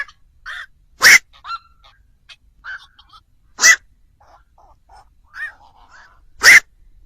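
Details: Black-crowned night heron calls played as a lure for trapping birds at night before Tết: three loud, harsh, broadband croaks spaced about two and a half seconds apart, with softer chattering notes in between.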